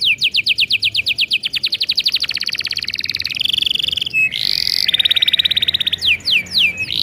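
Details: Singing canary delivering a long song, used as a lure to get young birds to sing: a lengthy, accelerating trill of rising notes melts into buzzy rolling tones, then a smooth whistle and a few sharp sweeps.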